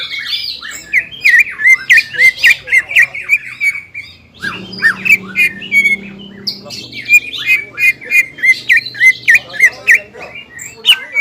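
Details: Greater green leafbird singing hard in gacor style, ngobra and jamtrok, agitated by aroused emotion: rapid run of bright whistled and chattering notes, about three per second, with a low hum through the middle.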